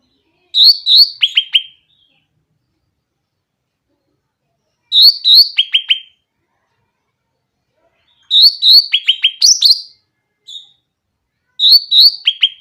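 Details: Grey-cheeked bulbul singing clearly to coax other bulbuls that are reluctant to sing; four bursts of quick high chirps, each ending in rapid falling clipped notes, repeated every three to four seconds against silence.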